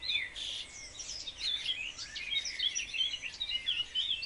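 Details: Several house sparrows in a garden in spring, fighting over nest boxes as the weather warms: loud, dense chattering chirps and bright cheeps overlapping throughout, close and continuous.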